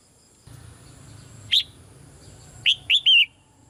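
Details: Female red-whiskered bulbul in a cage, calling softly to urge a male to sing more strongly. One sharp whistled note, then a quick three-note phrase ending in a falling slur, over a faint low hum.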